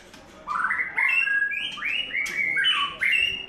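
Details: Third-molt white-rumped shama delivering a rich, continuous song of rising and stepping whistled phrases with slurred, warbling notes, set against constant low room noise.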